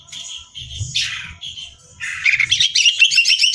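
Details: Greater green leafbird singing for song-contest practice: a few spaced whistled notes, then a fast, loud rattling trill of repeated sharp notes.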